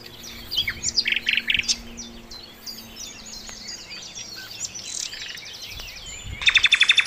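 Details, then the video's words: Sikatan londo flycatcher, described as very melodious, on a master recording for training cage songbirds: varied high chirps and short trills, ending in a loud, rapid, buzzy rattling trill. "masteran mewah sikatan londo gacor"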